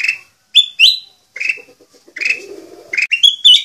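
A sooty-headed bulbul sings a fast, varied run of bright chirps, squeaky upslurred whistles and brief chattering notes, packed with mimicked phrases.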